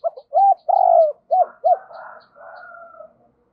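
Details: A spotted dove serving as a decoy, in double-voiced calling song to provoke wild doves: loud, rounded, hollow coos, one drawn out, followed by softer blurred cooing, with faint ticking throughout.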